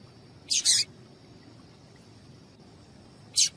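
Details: Female papa-capim seedeater call to excite males; a quick double chirp, bright and high, then a single chirp about three seconds later, with a thin steady hiss in the background.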